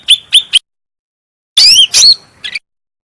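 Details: Bulbul (cucak rante), clear-voiced and strong, on a master recording for training birds. Three quick chips sound, then a pause, then two loud upswept whistled notes and a brief buzzy note, with silence between.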